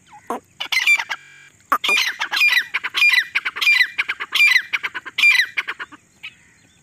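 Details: Female grey partridge calling non-stop in jungle, a call used to lure birds for hunting: loud harsh grating notes in rapid bursts, repeated phrases roughly every half second after a brief pause near the start.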